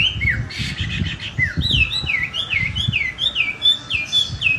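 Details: Chinese hwamei singing right after bathing: a fast run of loud, clear whistles, each sliding downward, about two a second after a few harsh buzzy notes, over low indoor thumping.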